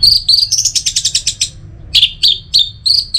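Orange-headed thrush song: a fast run of high, bright chirped notes, about a dozen in a second and a half, then a pause and scattered sharp whistled phrases.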